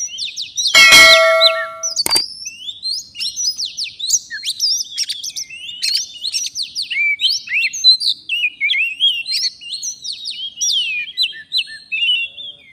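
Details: A wild forest Oriental magpie-robin, drawn to a bird-catching lure, sings a long, unbroken run of rich, varied whistles and quick scratchy warbles, pitched high, with a brief metallic clang near the start.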